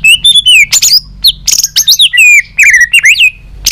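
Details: White-rumped shama in continuous competitive song with tail flicking, mixing many voices: bright descending whistles, harsh buzzy bursts and fast twisting slurs packed closely together.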